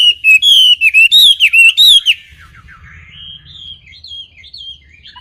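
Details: Wambi singing clearly: a fast run of loud, bright whistled notes with wavering pitch, then softer high twittering phrases over a faint low hum.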